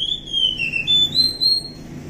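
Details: Oriental magpie-robin from the forest, wild, singing a continuous run of pure whistles that dip slightly then rise and hold on a higher note, against a faint low hum.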